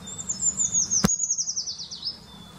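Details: Eurasian treecreeper singing in February 2019: a thin, very high song that slides down in a fast, accelerating series of notes and ends with a brief flourish. A sharp click sounds midway, and a faint hum lies underneath.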